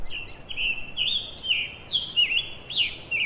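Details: Perched in a tree, a scarlet tanager sings rough, buzzy phrases, some rising sharply at the start, in a brisk unbroken sequence with little background noise.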